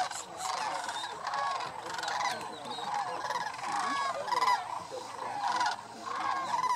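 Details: Sandhill cranes by the thousands gathered on Paynes Prairie State Preserve, North Florida near Gainesville, during their annual migration; a dense chorus of overlapping rolling, trilled bugles rises and falls in waves, with brighter rattling calls standing out near the fourth second.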